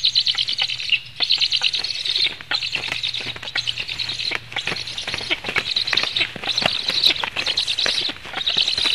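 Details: Feeding session of Latvian black storks, 17 July 2015, late afternoon: a continuous stream of shrill, chattering pulsed calls, broken by brief pauses roughly every second or so, with frequent dry clicks underneath.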